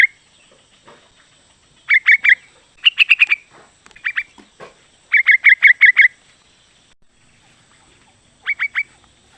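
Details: Female sooty-headed bulbul calling to the male, used to stir males into answering. Four clusters of fast, bright chattering notes, each three to six notes long, separated by pauses, with a quiet stretch before the last burst.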